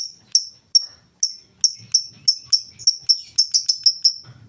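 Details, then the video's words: Lovebird singing in the full ngetik style, without ngekek chatter, used as a lure to get other lovebirds singing: about fourteen sharp, very high ticks, spaced unevenly at first, then quickening into a rapid run near the end. "Lovebird full ngetik cocok buat pancingan Lovebird mu!!!"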